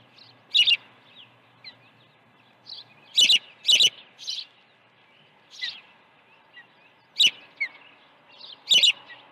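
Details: Osprey at the nest during an early morning feeding on 1 June 2019 at a Montana ranch; sharp high chirps in bursts, often paired, repeated irregularly about every one to two seconds with softer whistled notes between.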